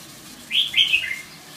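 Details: Red-whiskered bulbul giving a short, lively warbled phrase of three or four linked whistles that dip and slur downward, lasting under a second in a quiet setting.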